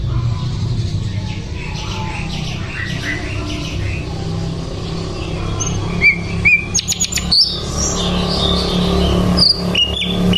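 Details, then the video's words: Sikatan londo flycatcher singing: after several quiet seconds, bright whistled notes and sharp clicks burst out, with high thin tones repeated against a steady engine-like rumble. "sikatan Londo gacor"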